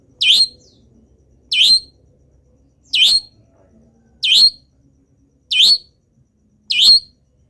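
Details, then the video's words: Six sharp upslurred whistled notes, evenly spaced about every 1.3 seconds, from a local long-tailed shrike in full voice during its moult, singing a repertoire of wild bird imitations; quiet background. "CENDET GACOR FULL ISIAM BURUNG LIAR"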